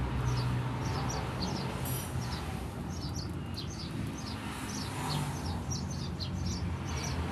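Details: Rapid, uneven clusters of tiny high chirps from a Eurasian tree sparrow, ngriwik style, recorded as master material for training songbirds, set against a heavy, continuous low hum.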